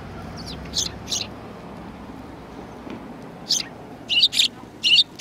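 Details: Sparrows, a group filmed on 2 January 2019, give two sharp chirps early, then a quick run of four high, clipped chirps near the end, with a soft low hum underneath.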